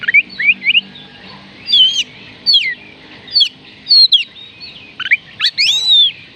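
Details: Song of an Oriental magpie-robin, played to get reluctant birds singing: rich rising and falling whistles in varied phrases, ending with a longer sweeping whistle alongside a scratchy note.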